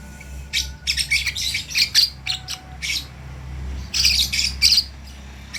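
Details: Lovebird chick learning to vocalise, producing loud, buzzy, high chirps in rapid bunches, with a brief lull midway, above a low background hum.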